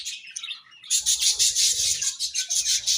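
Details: After a brief softer warble, budgerigars break into loud, unbroken high-pitched twittering with a steady pulsing rhythm for the remaining two seconds.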